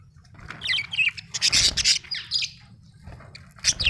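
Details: Budgie chirping: a dense run of buzzy, scratchy warbling notes building in the middle, then a quieter stretch and one last sharp chirp, over low background noise.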